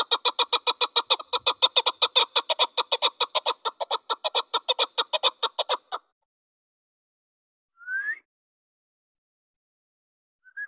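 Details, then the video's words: Captive chukar partridge kept as a hunting decoy bird; a long run of rapid, evenly spaced clucking chuk notes, about two per second, for six seconds, then silence broken by a short rising squeak. "shikari chokor awaz"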